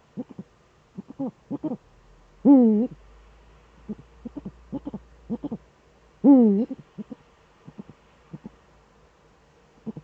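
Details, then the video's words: At a nest in the Eifel on a December evening, 13 December 2013 at 17:25, a male Eurasian eagle-owl duets: two long, wavering harmonic calls about four seconds apart, with brisk paired short notes before, between and after them. "Uhu-Duett, Männchen am Horst"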